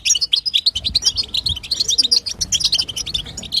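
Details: European goldfinch, female, twittering to stir a male into song: quick, sharp, high chirps packed in a steady stream, with a soft low murmur beneath.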